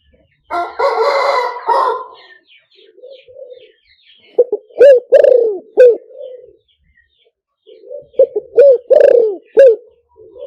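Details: Spotted dove call used for luring through a loudspeaker. A brief rough burst opens, then soft low coos lead into two full phrases of short notes, a rising coo, a long falling coo and a clipped closing note.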